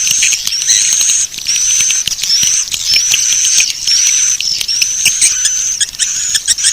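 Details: Swiftlet lure sound used to attract swiftlets: short bursts of high twittering, each topped by a rising whistled slur, recurring about twice a second with brief gaps between.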